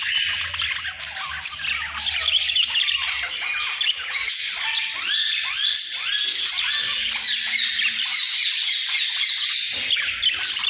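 Budgerigars chatter in a busy stream of squawks, chirps and scratchy warbling notes.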